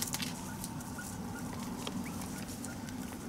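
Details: Taiwan hill partridge family of five foraging for food in Dashue Mountain National Park, Taichung City, on 18 January 2021; short, soft chirps, some sliding upward, scattered through steady leaf-rustling patter and a low background hum.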